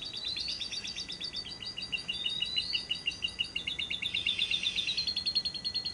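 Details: Lovebird producing a drawn-out ngekek trill, used as a lure to make other lovebirds sing at any hour: continuous fast rattling high notes with rising whistled slurs over six seconds.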